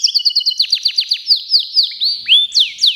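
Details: Local canary readied for a song contest, rattling off a steady trill of about four notes per second, then slower downward-curving slurred whistles.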